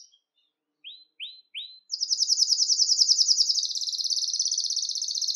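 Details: Belgian canary song to excite males and bring females into breeding condition; three short rising chips spaced apart, then a long fast rolling trill that continues steadily to the end.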